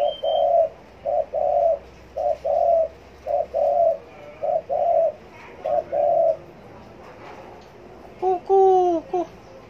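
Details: Spotted dove cooing on demand. Low, hollow coos come in short pairs and longer notes, about ten phrases in eight seconds over a quiet hiss. A few arched, sliding notes follow near the end.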